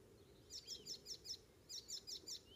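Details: Icterine warbler song recorded on the morning of 19 May 2016 near Hollum, Ameland, Netherlands: a rapid string of high, sharp repeated notes, about nine in two runs, over faint low rumble.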